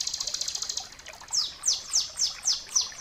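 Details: Bar-winged prinia song, used as a training model for other birds: a fast buzzy trill of high notes, then a pause and five clear descending sweeps spaced about every quarter second, with soft background noise.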